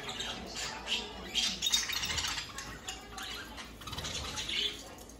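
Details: About 100 captive budgerigars chatter at once, a dense wash of high, scratchy squawks and warbled chirps overlapping with no pause.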